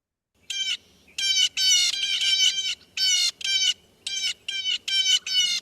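A Blue Jay gives a run of about ten harsh, nasal 'jay' screams, each roughly half a second long, coming in quick bursts with short gaps.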